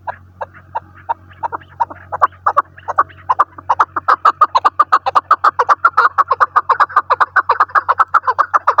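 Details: Chukar partridge kept as a hunting decoy bird, giving a long series of short, clipped chuck notes that start sparse and grow louder and faster, running steadily at over two per second; faint low hum beneath.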